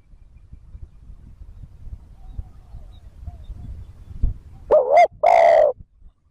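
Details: Spotted dove luring call: after a few seconds of low background rumble, a single deep two-part coo, a short rising note and a longer hoarse hoot.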